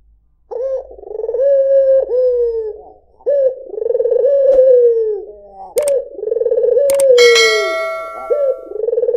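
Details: A white (albino) Barbary dove gives low, rolling coos, each drawn out and slightly falling, repeated every few seconds; a bright metallic ding rings out once partway through.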